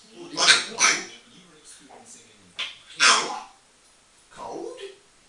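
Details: African grey parrot, female, eight years old, a household pet chattering alone in a bathroom; clusters of rough, speech-like syllables and a few hisses separated by short pauses.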